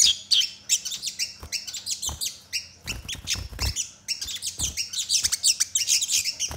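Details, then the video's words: Crimson sunbird singing fast, sharp phrases that include sparrow-style notes, played to prompt other sunbirds to sing quickly: thin, high chips and squeaky trills come in busy clusters, broken by a few low thuds around the middle. "Sogon Gacor Isian Gereja Tarung Sambung Tembakan Tajam Memancing Sogon Bahan Agar Cepat Bunyi"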